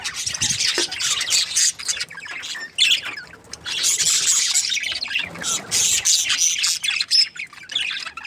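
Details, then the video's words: Parakeets, a happy breeding pair of budgerigars, keep up lively, uneven warbling: high scratchy chirps and squawks in irregular bursts, some louder sharp notes standing out, with faint low rustling underneath. "Happy budgies chirping sounds | parakeet breeding pair"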